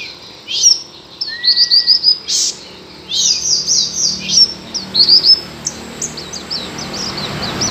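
A white-eye sings a high, rapid twittering of thin chirps and sweet trills, in bursts lasting a second or two, with a brief thin whistle early on.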